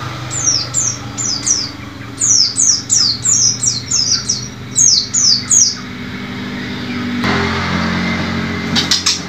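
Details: White-eye song meant to get caged birds singing again and train new birds: a long series of high, clear downslurred notes in paired and tripled groups, repeated about twice a second, then a soft rustling noise.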